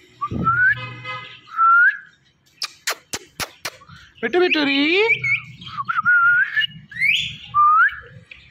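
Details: Talking Indian ringneck parrot, a pet, mimicking speech: repeated rising whistles, a burst of quick sharp clicks, then gliding nasal word-like sounds and more upswept whistles, with low background hum.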